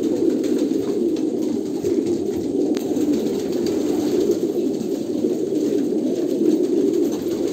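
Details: A chorus of Kolkata pigeons gives constant throaty cooing, low and rolling, with occasional sharp ticks in the background.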